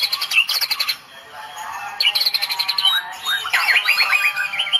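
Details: Medan-type white-rumped shama performing cililin-style 'tembakan' song: quick high chirp bursts, a short lull, then rising slurred whistles and dense zigzag trills.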